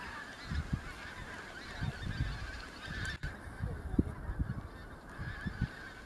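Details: Pink-footed geese, autumn migrants newly arriving in the Kelvin Valley, North Glasgow, on 25 September 2021; repeated honking calls from a flock, with a steady noisy background.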